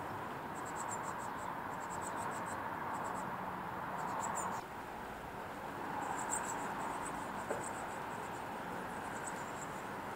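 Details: Eurasian blue tits on a balcony giving thin, very high, rapid ticking notes in short bursts every second or two, over a steady background rumble like distant traffic.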